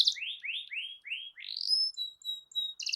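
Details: Canary song used as a master recording to get a silent canary singing: five quick rising whistled slurs in a row, followed by thin high steady tones and a short buzzy burst at the end.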